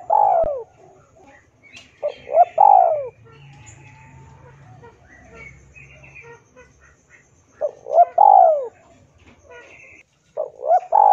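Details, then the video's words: Spotted dove singing vigorously as lure and tutor audio for captive birds. Repeated cooing phrases with quick notes, then a drawn, descending coo. Between phrases come brief twittering, clicks and a low droning hum. "SUARA BURUNG TEKUKUR DERKUKU GACOR MANGGUNG"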